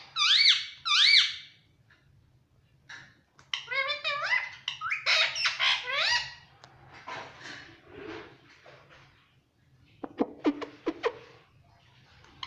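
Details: Indian ringneck parakeet kept as a talking pet, asking for roti: two sharp rising-falling squawks open, followed by a chattering stream of wavering speech-like syllables and a few crisp clicks toward the end.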